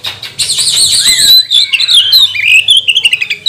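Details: Lure song of an Oriental magpie-robin, meant to rouse rival birds to sing: loud, busy high-pitched warbling with fluttering trills, then clear slurred whistles and a run of quick clipped chirps near the end.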